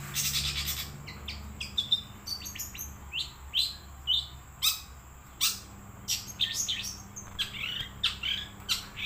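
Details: Wild long-tailed shrike singing: a varied run of short sharp chirps, upslurred notes and brief whistled phrases at irregular intervals over a steady low hum.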